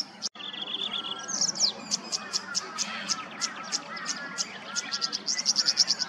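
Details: Queensland wetland tawny grassbird: a steady level whistle, then a sharp downslurred note, followed by a quick series of high clicking ticks that speed up into a rattle at the close; faint bird chatter throughout.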